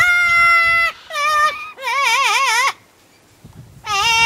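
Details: Double yellow-headed amazon at the UK Parrot Zoo, recorded on a night check, holds a flat sung note, drops to a lower one, then breaks into a quivering warble before a pause and a final rising note.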